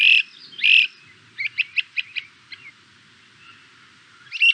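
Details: Great crested flycatcher (Myiarchus crinitus), song: loud sweeping wheep whistles at start and end with a quick run of six short burry notes between, a low burry vibrato; the only eastern flycatcher nesting in cavities.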